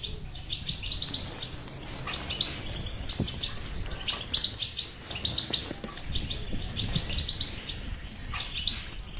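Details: European goldfinch kept in a cage, its song used to prompt a quiet goldfinch to sing; lively high twitters and short trilled phrases over a noticeable low rumble and occasional clicks.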